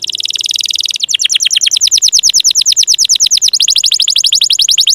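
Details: Canary lure song meant to coax stalled, lazy or young canaries into singing: a fast buzzy high trill, then a rolling series of rapid down-swept notes repeated about three times a second.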